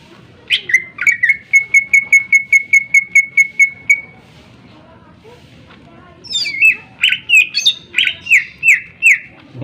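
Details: Greater green leafbird in full sharp song, meant to provoke other birds into singing: a fast run of about sixteen identical clipped notes, a short pause, then varied loud slurred whistles and chips.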